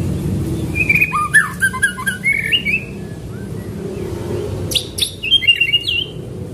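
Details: Training recording of White-rumped shama song in the pastol style, rolling 'shot' rhythm: bursts of warbled whistles and sharp clicks separated by pauses, with a low background hum.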